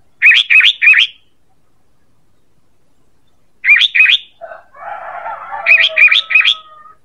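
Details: A sooty-headed bulbul's call, used as a lure, gives quick bursts of three bright, bubbly chirps, then a lower, chattering series of notes mixed with more chirps.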